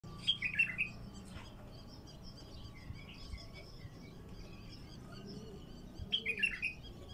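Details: Raw bulbul song used to get wild bulbuls singing: two short, rich warbled phrases about six seconds apart, each a quick tumbling cluster of notes, with faint distant bird whistles and low background hum between.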